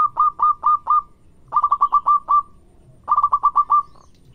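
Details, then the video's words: Local Indonesian zebra dove singing loudly, used as a lure to draw replies: three bursts of four to six quick, clipped coo notes, each burst falling slightly, with short pauses between and faint background hum. "Suara burung Perkutut Lokal Gacor yang bikin cepat nyaut"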